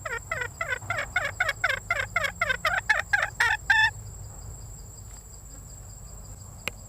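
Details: Female red junglefowl giving a run of quick, harmonic, downward-sliding notes, roughly four a second. The notes stop before the halfway point, leaving a constant high-pitched insect drone and faint low background noise.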